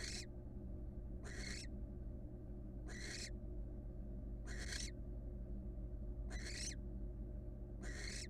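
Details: Wild female barn owl at her nest box, resting on one leg; six harsh, breathy hissing screeches, each about half a second long, come roughly every one and a half seconds over a steady low electrical hum.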